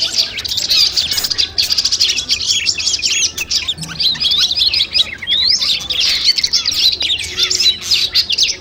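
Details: Long-tailed shrike, mastering audio before a contest: lengthy, energetic medley of high chattering, sharp chips and slurred whistles, very dense and varied, barely pausing.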